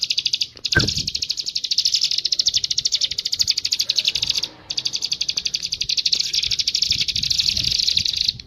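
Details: Bar-winged prinia delivering two long, fast, high-pitched pulsed trills separated by a short pause midway, the notes rattling evenly at about ten per second, with a dull knock early on.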